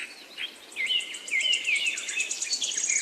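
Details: Bright, fast chirping from birds: a string of high, sliding whistled notes repeated in quick succession over a steady hiss of background noise.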